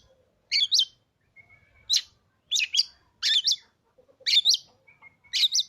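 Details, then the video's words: Caged Oriental magpie-robin, bought three days earlier after refusing to sing for its previous owner, used to stir other magpie-robins into song. Loud, sharp, high chattering phrases burst out about once a second, separated by thin level whistles, with no other sounds. "hanya hitungan detik kacer kamu pasti langsung gacor,,Cocok untuk memancing Emosi burung kacer"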